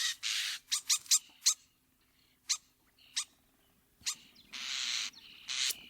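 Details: Common starling (Sturnus vulgaris) singing: a sequence of sharp clicks and short harsh bursts, then thin high whistled notes and a longer raspy hiss near the end, separated by brief silences.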